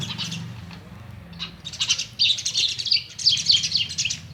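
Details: An Indian myna at home, chirping at a mirror, gives a rapid, jumbled run of high chirps and harsh squeaks, with bursts coming several times a second, over a low steady hum.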